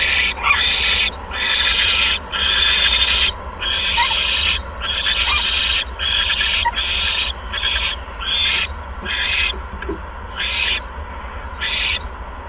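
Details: A second mouse is delivered to the nest at 8:38 PM on 16 February 2015; an owl gives a long series of raspy, breathy hisses, early ones longer, later ones shorter and more spaced.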